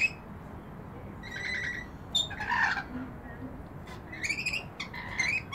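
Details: Rainbow lorikeets bathing in a balcony bird bath, giving harsh, screechy squawks in short uneven bursts, some rising, every few seconds over a steady low background hiss.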